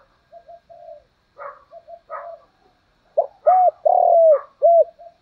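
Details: Decoy spotted dove calling to lure wild birds: soft low coos at first, then a loud phrase of a short note, an arched coo, a long buzzy descending coo and a final arched coo; fainter chirpy notes in between.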